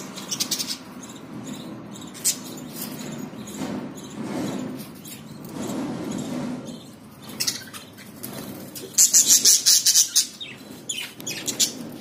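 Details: Caged budgerigars with new chicks in Ludhiana chatter with quick, high, scratchy chirps, building to a louder burst of rapid warbling notes.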